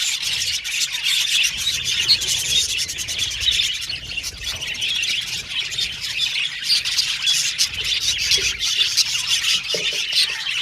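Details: Budgerigars singing and chattering together, a continuous busy warble of scratchy chirps and high squeaks with no pauses, with faint low rumbling underneath.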